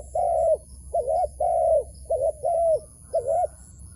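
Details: Wild dove cooing while being lured into a trap: three pairs of notes, a long arched coo each time answered by a shorter doubled one, then silence.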